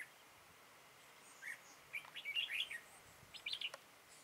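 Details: Full song of a red-whiskered bulbul during decoy trapping, 13 October 2018: a lively, tumbling phrase of fluty chirps, then a second shorter burst after a brief pause.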